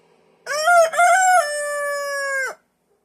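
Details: A backyard speckled Sussex rooster crows outdoors in winter snow near a house porch. A single full crow: a choppy two-part opening followed by a long, level, nasal held note of about a second, then silence.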